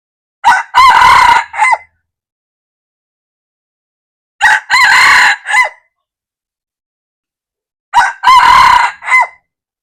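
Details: Three crows from a red junglefowl, recorded 1/2/2024, spaced roughly every three and a half to four seconds; each is brief and harsh, rising into a strained middle syllable and ending abruptly, with no other sounds.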